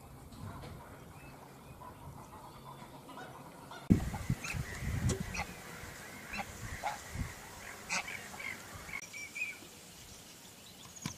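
Greylag geese give harsh, nasal honks in irregular bursts, some overlapping, over a steady low rumble of wind.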